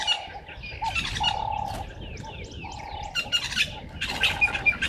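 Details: At dawn (05:30, 11/08/2023) beside Gowrie dam in Djuma Game Reserve, Sabi Sand Wildtuin, South Africa, red-billed buffalo weavers gathering nest material give busy, harsh chirps and chatter, with scattered squeaky notes over a sustained lower droning tone.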